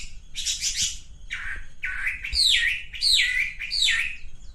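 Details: Male pink-necked green pigeon giving a run of five squawky, rasping notes, each starting with a sliding rise and dropping away, spaced about one per second.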